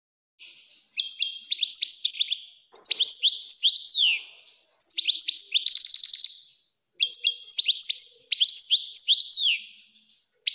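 A European goldfinch sings in four bursts of about two seconds each, fast, high, liquid twittering mixed with tinkling trills and buzzy notes. Nothing else is heard.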